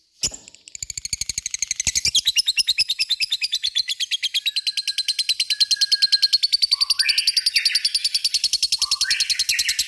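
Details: Lovebird singing a long, unbroken ngekek chatter of rapid, evenly pulsed harsh notes, while lower, shorter rising chirps from another bird come through near the end.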